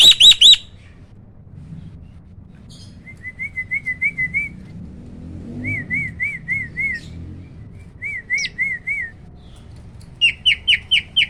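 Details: Hybrid starling, a cross of Asian pied starling and black-winged starling, caged, singing the roll tembak vocal style: a sharp high burst, then runs of quick rising whistled notes repeated in short series, ending with a loud high stuttered phrase.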